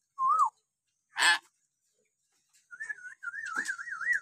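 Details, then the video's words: Hill myna vocalising in a training recording meant to coax silent mynas: a short wavering whistle, a sharp harsh burst, then a run of rapidly warbling, wavy whistles in the second half. "masteran beo josss buat pancingan beo malas bunyi"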